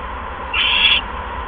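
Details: Nest-camera owl on the evening of 16 February 2015, delivering a second mouse. A single loud, raspy, hissing screech lasts about half a second against a steady low hum.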